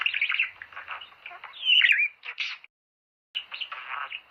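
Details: Budgerigar song for encouraging mating: scratchy chatter with a loud, harsh rising squawk in the middle, then a pause and a renewed run of softer buzzy warbling.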